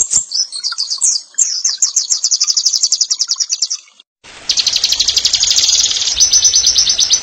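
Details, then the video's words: Oriental white-eye singing the ngeriwik nyembur style for masteran training: rapid high twittering that runs into a long, steady, ringing trill, a short break, then another sustained dense trill with faint background hiss. "Masteran Pleci NGERIWIK NYEMBUR"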